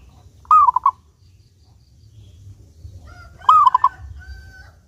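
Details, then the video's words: A clear-voiced local zebra dove in active song, used to lure doves into singing: two cooing phrases about three seconds apart, each a rising note then three quick lower notes, the second followed by a thin whistle from another bird. "Perkutut Lokal Gacor Suara jernih"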